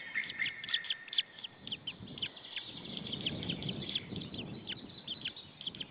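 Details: Alone in the nest after a parent departed, a white-tailed eagle chick in Saunja, Estonia, 26 April 2013 at 16:44, keeps up rapid thin high chirping, uneven in rhythm, against a murmur of low wind-like noise.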